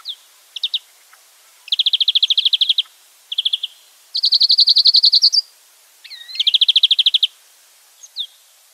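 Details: A wild European greenfinch (Chloris chloris) sings and calls in high, rattling trills of rapid even notes, each about a second long, with short chips and a quick rising slurred note between; European greenfinch.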